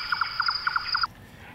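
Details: At nightfall on the Iberian Peninsula, Red-necked Nightjars (Caprimulgus ruficollis) begin flying and singing, giving hollow, knocking double notes, kutuk-kutuk, about three times a second, over a steady high insect trill.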